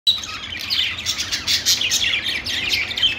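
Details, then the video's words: Many budgerigars in a pet store, a dense continuous chorus of overlapping high, scratchy chirps and warbles with no pauses, busy and chattering throughout. "budgies calling sounds | parakeet chirping sounds in pet store"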